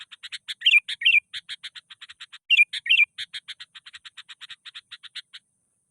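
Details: Sooty-headed bulbul, agitated and challenging a rival: a fast run of short dry chattering notes, roughly five per second, broken twice by pairs of louder bubbly warbled phrases; no other sounds.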